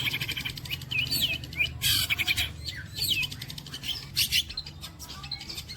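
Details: Long-tailed shrike mimicking sparrow, walang kecek, kuntilanak and petir sounds: looping whistled notes mixed with harsh noisy bursts and rapid buzzy stutters.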